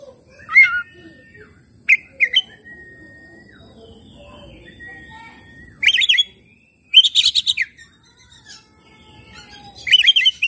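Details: Oriental magpie-robin song meant to coax stressed, quiet birds into singing: scattered sharp chirps and flat whistles, then dense harsh buzzy bursts in quick series near the end, with a faint hum behind.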